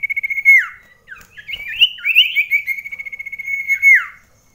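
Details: Common iora competing indoors with another bird at close range: a rapid trill ending in a downslurred whistle, warbled rising notes, then another long trill that falls away at the end.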